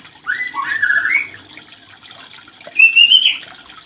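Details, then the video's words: White-rumped shama mating call used to stimulate breeding; two short whistled phrases, the first sliding and warbled, the second a rising bright whistle, separated by near silence. "Suara ini untuk memancing Birahi murai Batu yg macet Produksi"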